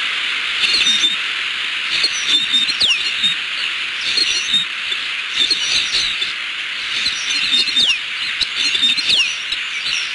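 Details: A pair of bald eagles at their nest in southwest Florida calls at a nearby intruder on a December afternoon in 2015. Scattered high, thin piping whistles, some sliding downward, sound over constant background hiss and faint rustling.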